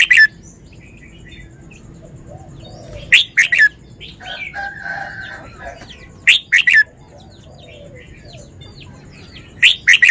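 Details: Cage-kept Red-whiskered bulbul sings a short, sharp whistled phrase of several notes roughly every three seconds, with scattered quieter chirps and a rough, buzzy call from another bird between phrases.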